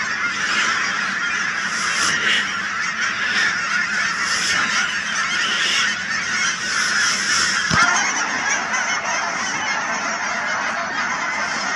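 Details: Huge wetland flock of Canada geese near Chilliwack, BC, a constant roar of overlapping honks with brighter, higher calls rising above the mass and one sharp knock partway through.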